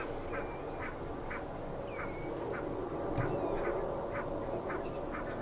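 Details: Two pied avocets feed at the Hempolder, Akersloot, in the Netherlands on a Tuesday, April 4, after working hours; brief sharp notes spaced roughly every half second, one slurred whistle, with broad low wetland noise behind.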